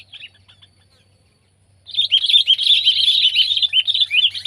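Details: Sooty-headed bulbul (kutilang), pet or wild: a few soft notes, a pause, then a loud close burst of bubbly, slurred chirps repeated rapidly to the end.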